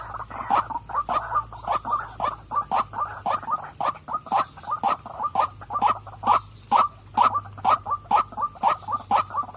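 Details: A female white-breasted waterhen gives a long series of hoarse, nasal 'wak' croaks, roughly two per second and fairly even in rhythm, over a thin steady high-pitched hum.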